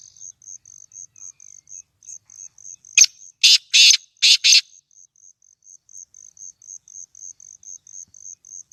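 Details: Captive home-bred black francolin calling with a single series of five rough, grating notes bunched within two seconds, set against a continuous rhythmic cricket-like ticking.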